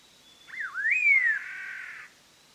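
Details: One full Collared laughingthrush phrase from a trapping lure file: a brief downward flick, then a smooth rising whistle that peaks and glides down into a sustained rich warble before stopping.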